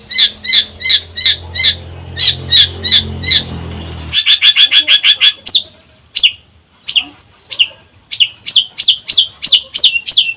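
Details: Long-tailed shrike in full song: about four seconds of sharp, clipped notes over a low hum, then a fast run of ringing high chips, followed by spaced, slurred whistled notes repeated roughly every half second.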